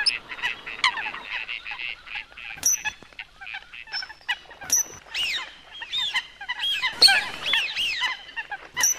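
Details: Calls of coot: clipped nasal honks mixed with sharp high ticks, several birds calling at once in irregular bursts.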